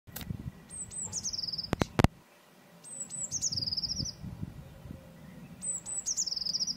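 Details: Eurasian blue tit singing: three phrases, each of two or three very high thin notes followed by a fast, slightly falling silvery trill, about every 2.8 seconds. Low rumbling background, with a few sharp knocks near the start.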